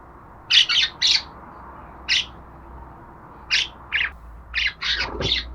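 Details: Budgerigar chattering in a run of quick, scratchy high chirps, some in clusters and accelerating toward the end, over a low hum.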